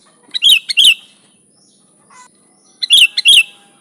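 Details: Sooty-headed bulbul song, a lure recording for attracting bulbuls: two short bursts of bright, bubbly chirped notes about two and a half seconds apart, with a faint softer note between and a steady high electronic whine throughout.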